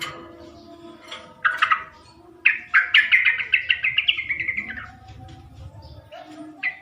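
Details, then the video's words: Sooty-headed bulbul call played as a lure to get males to answer: short bursts of chattering notes, then a long rapid run of bubbly repeated chirps that slowly fall in pitch, with a low rumble beneath. "PANCINGAN SUARA BURUNG TRUCUK,jantan di jamin langsung nyaut"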